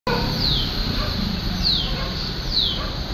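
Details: A Shikra (Tachyspiza/Accipiter badius) in Mapusa gives three thin, high, downslurred notes about a second apart, sharp and whistled, over steady low rumbling background noise.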